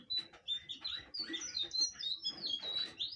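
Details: Blue flycatcher song of clear, high whistled notes. It opens with spaced single whistles, then rushes into a tumbling sequence of rising and falling slurs, with soft background noise.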